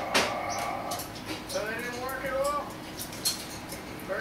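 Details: A pet lilac-crowned amazon playing with a toy tire gives a short run of throaty, speech-like calls that bend up and down in pitch, with knocks and household noise around it.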